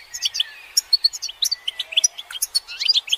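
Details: Goldfinch group calls meant to excite males into singing: crisp, well-spaced high chirps and short twitters, plus a few thin drawn-out whistles gliding underneath, over a quiet background.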